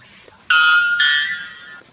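A white bellbird gives one sudden, deafening two-part call, a metallic ringing tone that shifts partway through and fades over about a second and a half.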